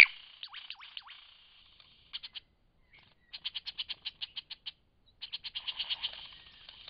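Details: Lyrebird song from Cape Liptrap Coastal Park: a few downslurred whistles, then quick runs of sharp, evenly spaced high pulses broken by short pauses, ending in a dense rattling trill.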